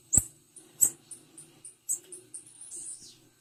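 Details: A female blue-black grassquit calls with a quick run of high, thin chips that grows faster, ending in a brief downward-sliding squeak, with a faint low hum behind.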